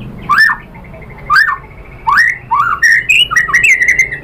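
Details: White-rumped shama singing as a lure to trigger other shamas. Separate upslurred whistled phrases about once a second, then quicker overlapping chirps and sweeps toward the end.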